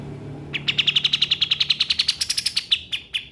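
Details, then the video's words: White-shouldered triller, known locally as kapas tembak, used as a tutor voice for training caged songbirds: a fast, even string of about twenty sharp, chipping notes that rise slightly in pitch and then fall away at the end. "Kapas tembak"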